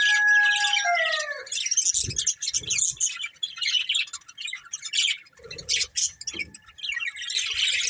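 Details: Budgies from a breeding pair give clear descending whistled notes at the start, then continuous high scratchy chatter with short clicking sounds mixed in.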